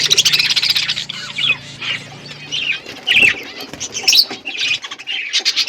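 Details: Several budgerigars in an outdoor aviary give a continuous stream of warbled, squeaky chirps and short rising notes over a faint low hum.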